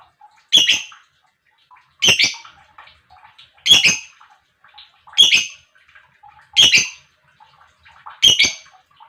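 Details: Lovebird chirping used to excite other lovebirds into singing: six loud harsh double-noted chirps, roughly every one and a half seconds, with faint soft chatter between them.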